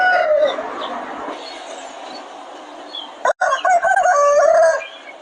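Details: Chicken farm roosters: the tail of one crow fades at the start; after a short gap a second, rougher crow rises and holds a wavering note before ending, over steady background hiss.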